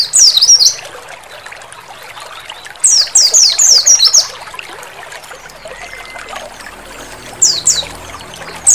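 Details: Oriental white-eye song played together with running water to encourage singing: bursts of quick, high, sweet descending twittering notes separated by pauses, over a steady trickling water background.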